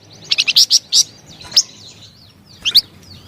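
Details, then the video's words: Flamboyan bird giving a short phrase of sharp, high chirps in a quick cluster, then a single thin note and a final pair of bright chirps after a pause. "SUARA MERDU DAN GACOR BURUNG FLAMBOYAN"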